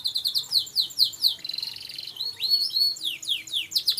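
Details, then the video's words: Hobbyist's songbird, offspring of a known singer and hoped to become a champion, pouring out fast, loud strings of descending whistled notes mixed with trills and upward slurs, rhythmic and nearly unbroken. "Kicau mania"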